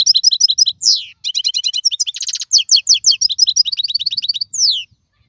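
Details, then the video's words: European goldfinch, a wild bird from 2022, singing a rapid, varied medley of tinkling twitters, a long down-slurred whistle, a brief rattling buzz and more chattering phrases, ending with a falling slurred note. "اقوى مقنين خلوي - هذا الحسون الاقوى في 2022"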